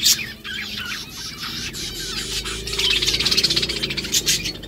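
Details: Several budgies eating food give warbling, chattering chirps with short rising and falling notes, mixed with broadband crunching and rustling from feeding.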